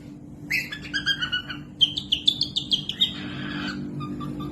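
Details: Cockatiel, kept as a tutor for other birds, singing bursts of repeated chirped notes about six per second, a brief pause, then quieter whistled notes over a low steady hum.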